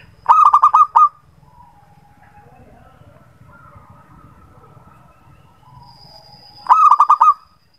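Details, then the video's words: Lure recording of a local zebra dove for birds that seldom sing: a quick stuttering phrase of six coos opens, a long soft low murmur follows, then a second matching phrase closes. "PANCINGAN KUTUT SUSAH BUNYI"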